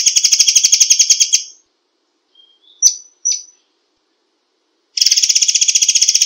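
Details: White-rumped shama in a dense 'tembakan rapat' song style: a fast buzzy rattle stops, a soft thin whistle and two sharp chips follow, then another rapid, steady rattle begins.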